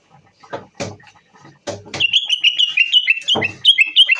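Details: A Moroccan bulbul (Common Bulbul) gives a quick run of bright, fluty whistled notes, slightly warbling and repeated in short bursts, after dull knocks and clatter.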